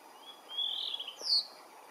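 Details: Blue rock thrush singing under a blue sky: a brief warbled whistled phrase, rising and wavering, then a sharp higher note near its end.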